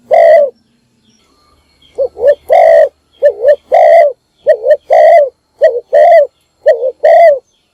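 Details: Decoy spotted dove calling in the morning to draw in other doves, its voice prized for luring wild birds: a rapid run of low, throaty coos, paired short notes and longer burred phrases repeated almost without pause.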